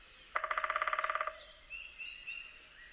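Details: Red-bellied woodpecker (Melanerpes carolinus) drumming a fast, ringing burst of about seventeen taps in a second to attract a mate and establish territory, with faint whistled bird calls afterward.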